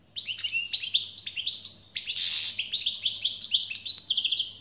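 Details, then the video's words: European goldfinch twittering steadily with rapid slurred chirps, interrupted by a harsh buzzy rasp before the song resumes in quick tinkling phrases. "SAKA ÖTÜŞÜ"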